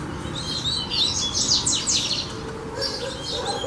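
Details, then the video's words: Singing coleiro in a fibra training session: a burst of fast, high, downward-slurred chirps early on, then sparser whistled notes, all above a low steady hum. "Coleiro Cantando"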